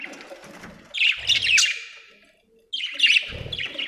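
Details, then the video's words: Budgie chirping in two bursts of raspy, squeaky chirps, the first fading out slowly before a quiet gap and a second chattering burst. "budgie chirping sound"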